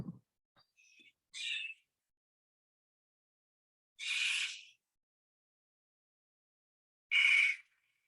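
Barn Owl giving three harsh, hissing screeches, each under a second, spaced about three seconds apart; a faint knock at the start.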